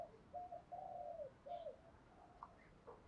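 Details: Spotted dove, called cu gáy locally, calling in the morning: low hoarse coos in a short phrase with a drawn-out falling note, faint against background hiss, with a few brief higher chirps from other birds.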